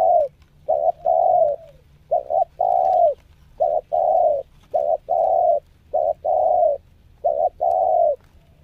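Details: A spotted dove in lure-bird training delivers a rapid run of hollow coo phrases. Paired short notes lead into longer, slightly falling coos, linked closely together across the stretch, showing nekan, selang and Meratus nguku styles.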